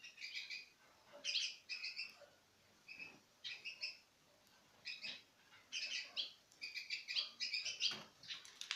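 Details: Pairs of citril finches from 2016 eating from the hand; repeated high double-toned chirps in short runs, steady chattering across the clip.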